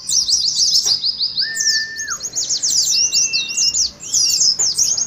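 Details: Oriental white-eyes singing in the ngeriwik style, used as a lure to prompt captive birds to sing and to simulate a contest: dense, rapid high twittering runs throughout, with one long flat whistle near the middle and a thinner whistle later.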